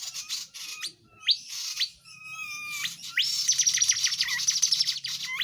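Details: Flowerpecker called tledekan jati, singing briskly as a tutor bird; separate sharp rising chirps and short level whistles lead into a sustained run of rapid, very high ticking notes.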